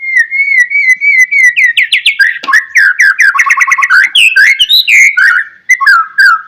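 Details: Loud, rich morning song of a white-rumped shama, played to make other shamas sing: a rapid whistled trill builds into dense, varied phrases of rolling whistles and chattering notes without pause.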